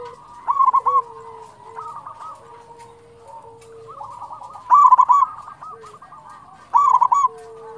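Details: Local zebra dove singing, a recording meant to spur other doves into song: loud trilled, bubbly coo phrases repeat every two to three seconds over continuous softer cooing and a steady low whistle-like tone.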